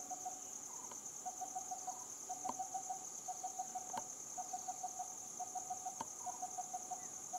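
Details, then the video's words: Coppersmith barbet giving a steady run of low, hollow tonk notes, about three a second in short series, over a constant high insect drone. "Coppersmith barbet"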